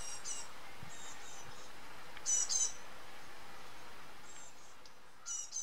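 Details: A male common redstart in Hilchenbach, Germany, on 14 July 2013, sings thin, very high notes and short jingling phrases, one every second or so, over a steady low rumble.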